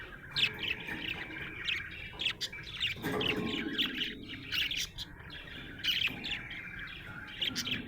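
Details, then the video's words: Happy budgerigar chirping: busy warbling chatter of short bright chirps and squeaky notes, with brief louder peaks and a lower rustling passage midway. "Happy budgie chirping sound"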